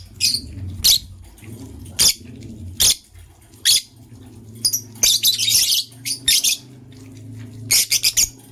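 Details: Green and blue lovebirds in the morning make scattered sharp, high chirps and squawky bursts, irregularly spaced, with a low steady hum underneath.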